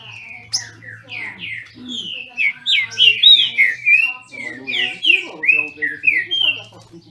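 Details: Captive-bred Green-winged Saltators in Brazil competing in song: a rapid run of loud, clear whistled notes, many sliding down, delivered about three per second with short gaps, over a faint low hum.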